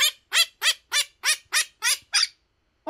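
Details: Male pet Quaker parrot chattering and imitating animal noises, such as a pig's ONK ONK: eight harsh, nasal honking squawks repeated about every third of a second, fading slightly toward the end, with a final note starting.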